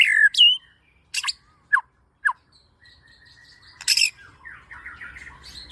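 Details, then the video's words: White-rumped shama lure song, played to make a kept bird sing: a loud slurred whistle, a sharp rising whistle, then harsh clicks and short falling notes, ending in faint warbling. "Suara Burung Murai Gacor Pancingan"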